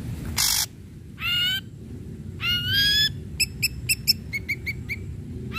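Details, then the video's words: Ashy drongo singing energetically to spur other drongos into song: a harsh buzzy note, two rich upward-sweeping whistles, then a rapid series of short bright chirps. "Srigunting Abu Abu Gacor"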